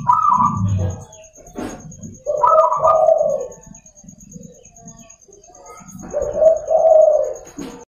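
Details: Morning song of a local zebra dove, played to attract and train other doves: two warbling, trilled coo phrases about four seconds apart, with low thumps and rustles between and a faint steady high-pitched whine.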